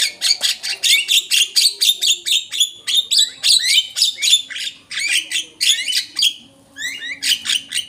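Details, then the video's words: Rapid series of Javan myna squawks and short whistles used to lure birds, steady chattering pulses with a brief lull near the end before more sliding whistles. "pancingan jalak kebo"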